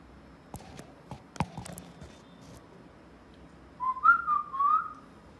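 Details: Pet parrot's short wavering whistle near the end, with a few rising and falling turns, preceded by scattered clicks and taps in an otherwise quiet room.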